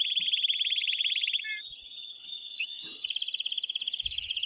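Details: Excited male canary singing to arouse a female for mating, also for chicks to learn: a loud rolling trill, a brief sustained whistle and short chips, then the fast trill returns.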